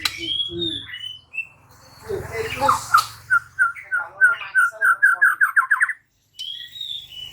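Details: White-rumped shama (murai batu) song over low background noise: a few whistled phrases, then an accelerating series of short notes rising in pitch into a quick trill, followed by a high whistle.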